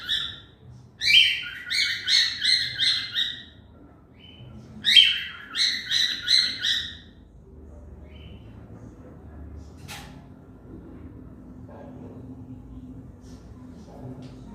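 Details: Pet cockatiel calling in two rapid bursts of raspy, repeated chirps near the start, then near silence with faint room noise and a single click.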